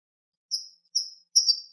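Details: Clean song of a European goldfinch: three short high twittering phrases, each a thin buzzy trill, spaced about half a second apart, with no other sounds.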